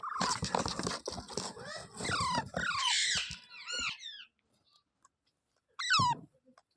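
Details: Rose-ringed parakeet kept as a pet in India: a run of harsh, falling screeches and chattering notes over a noisy room, then a pause and one loud descending squawk.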